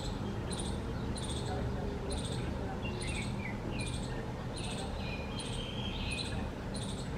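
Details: A bulbul recorded on 17 November gives a few brief chirpy, slurred phrases among loud, evenly repeated insect chirps roughly every half second, with a steady low rumble.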